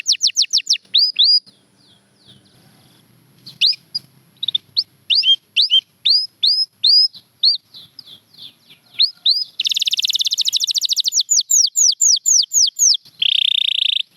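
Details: Champion canaries sing separate hooked whistled notes with short gaps, then a dense, buzzy rapid trill and a run of curved notes. A steady, sustained buzzing tone closes the song.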